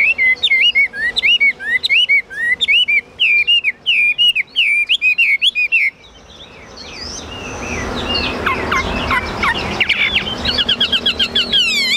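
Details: Caged Chinese hwamei pouring out quick, looping whistled phrases for about six seconds, then fainter, scratchier notes over a rush of background noise.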